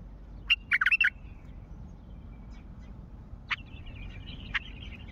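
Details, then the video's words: Calling wild bulbul of Mandali: one chattery burst of tumbling notes with crisp clicks near the start, then two isolated sharp clicks and a faint trailing twitter, over steady low noise. "ندهات بلبل وحشي مندلاوي"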